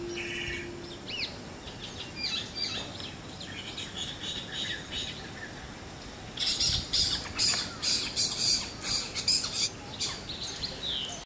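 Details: Two spotted owlets (Athene brama) calling in Bangalore, Karnataka: harsh, screechy chirrups, scattered at first, then a loud, rapid chattering run of squeaky notes; a brief low hum opens the recording.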